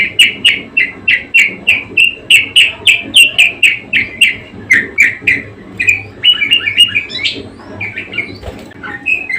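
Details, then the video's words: Budgerigar singing persistently: a fast, steady run of short bright chirps, about three or four a second, then looser warbling notes toward the end, over a faint low hum. "Burung parkit gacor ngotot"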